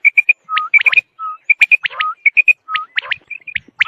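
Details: Quail recording for hunting: quick triplets of bright whistled notes alternate with sharp rising sweeps and lower, drawn-out level whistles, all at a brisk, uneven pace.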